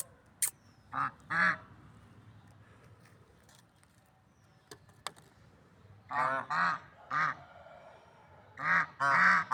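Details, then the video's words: Swans in nature, called lovebird swans, giving scattered nasal honks separated by a quiet stretch with faint background noise and a few clicks, then a cluster of louder paired honks. "Funny Sounds and Noises of Lovebird Swans in Nature"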